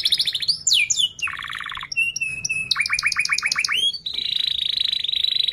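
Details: Domestic canary singing to teach young canaries: a varied, fast song of tight rolling trills, sweeping whistles and rapid repeated chirps at high pitch, ending in a dense buzzy trill.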